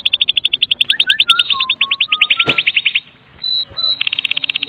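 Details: Kretekan song of a Medan-type white-rumped shama, full of borrowed phrases and played to coax other shamas into song: rapid metallic rattling over descending whistled slurs, a brief pause, then a renewed rattle.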